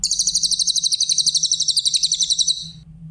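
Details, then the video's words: Grey-headed canary-flycatcher, used as a masteran recording for training other songbirds: a clear, very high, rapid pulsing trill of about four notes per second that lasts some two and a half seconds, then fades, over a steady low hum. "Masteran burung cililin , suara jernih"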